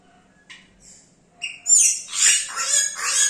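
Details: Yellow-rumped cacique singing and imitating other sounds: faint thin whistles at first, then a loud burst of harsh, scratchy, chattering notes mixed with high squeaks in quick irregular sequence.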